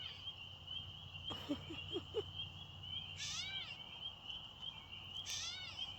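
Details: Catbird making baby-like mewing calls, with two slurred nasal mews in the second half. Soft low sounds come earlier, and a steady high hum runs beneath.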